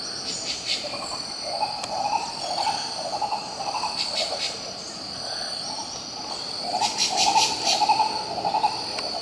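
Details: Green ibis from Pirenópolis in Goiás, Brazil, calling in runs of quick, rolling mid-pitched pulses that swell and fade twice, accompanied by an unbroken high insect whine and brief buzzy bursts above.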